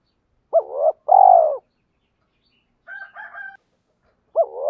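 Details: Spotted dove decoy calling to stir and lure wild doves, male and female voices: a low hooting two-part coo, a brief rising note then a long falling one, repeated, with a fainter, higher double coo between.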